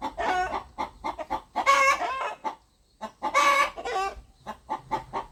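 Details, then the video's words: Rooster clucking in a farmyard, communicating: short rhythmic clucks in quick bursts, broken twice by longer, louder, harsh drawn-out squawks, with a brief pause near the middle. "Rooster Clucking"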